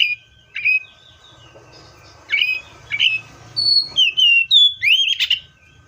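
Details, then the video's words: Seychelles magpie-robin singing over a soft background hiss: scattered whistled notes at first, then a tight sequence of six clear, looping whistles in about two seconds. "COPSYCHUS SECHELLARUM BIRDS SOUNDS LIKE IN NATURE LOUD CLEAR SOUNDS"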